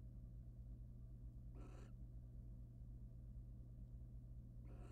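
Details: Male barn owl preening his mate in a wild nest box; a loud raspy hissing screech mid-clip, then another starting at the end, with constant low hum behind.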